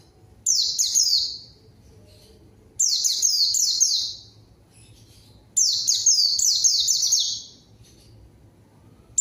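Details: Lure song of a white-eye challenging a rival so an untrained bird responds at once: three two-second volleys of rapid, piercing, high descending notes, separated by pauses and a faint low background hum.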